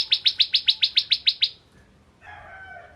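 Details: Bar-winged prinia (ciblek kristal) used as a lure for other prinias: nine quick, ringing descending chirps in about a second and a half, then quiet with a soft, harsher sound at the end.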